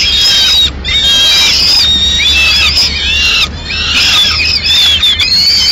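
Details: At a Madrid peregrine falcon nest, the female brings in pigeon remains mid-morning; sustained piercing, wavering wails run almost continuously, broken by a couple of short pauses, over a low steady hum.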